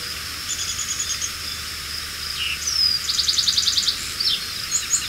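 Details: Male Lark Sparrow on 25 June 2022 at Ives Road Fen, Lenawee County, Michigan, giving high varied phrases of clear notes, then a quick rattling trill and short buzzy bursts, over a steady faint high hiss.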